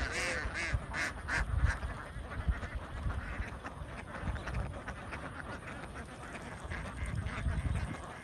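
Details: Young domestic ducks crowded in a big farm flock in Vietnam, loud ragged quacking at the start easing into a softer continuous chatter over low rumbling noise.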